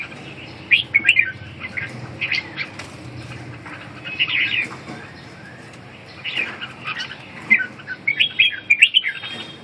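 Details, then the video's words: Red-whiskered bulbul singing, short bursts of warbled, fluttering phrases rising and falling, spaced a few seconds apart, with faint background hiss. "chim Chào mào"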